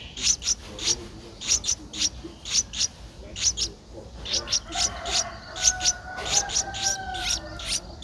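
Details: Eleven-day-old Streak-eared Bulbul chick at the nest, Ubon Ratchathani, Thailand, April 2023, begging with a fast stream of thin, hissy high notes, pausing briefly midway, while a low drawn-out whistle sounds in the background.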